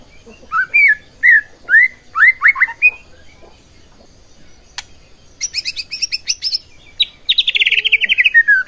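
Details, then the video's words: White-rumped shama singing to agitate other shamas: clear rising whistles repeated about twice a second, then a dense high chattering passage and a fast descending trill. "Pancingan Murai Batu Agar Bunyi Ampuh Bikin Emosi Murai Batu Lain"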